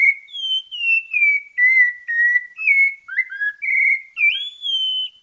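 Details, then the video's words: Bahia sabiá parda thrush delivering its melodious santa fé song: a run of clear, fluting whistles sliding downward, a few quick lower twisted notes, then a rising, sustained high whistle, with no other sounds. "SABIÁ PARDA DA BAHIA, CANTO MELODIOSO(canto santa fé)"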